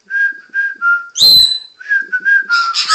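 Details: Pet male Congo African grey parrot dancing on cue as the owner whistles to prompt him: a string of short, level whistles, a sharp high squeal, more whistling, then rough chatter as he sings his name to end his routine.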